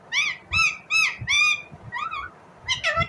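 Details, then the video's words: Indian ringneck parrot calling in a small indoor space: a run of loud, harmonic chirps, each arching slightly, about two or three per second, with low thumping and rustling beneath. "Indian Ringneck parrot Natural sound, parrot chirping sound"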